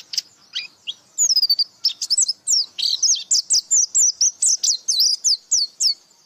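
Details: Pleci (white-eye) singing in the 'buka paruh' style. A few scattered chirps lead into a fast, steady stream of bright, high down-slurred whistles, about four per second.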